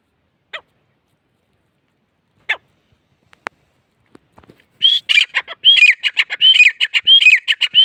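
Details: A grey francolin starts after a few faint isolated clicks. Midway it breaks into a loud, rapid series of ringing, rising-and-falling notes that quickly repeat and carry on to the end.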